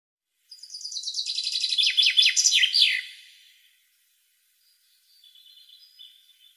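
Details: European goldfinch singing fast, for tutoring and stimulating caged goldfinches: a three-second run of bright, rapid twittering with sharp descending notes, then faint soft whistles.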